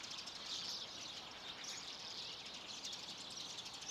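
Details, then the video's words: Common redpolls, at least 100 together at a winter bird feeding station in Haga on 3 March 2024, keep up a busy, high-pitched twittering chorus of rapid, overlapping chips and buzzy notes, heard fairly close above a soft noisy background. "Gråsiska (100 ex) läten"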